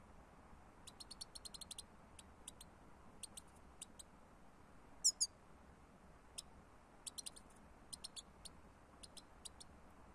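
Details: European goldfinch recording used as a bird lure: thin, very high chirps and ticks in quick little bursts, separated by short quiet gaps, over a faint steady background hiss.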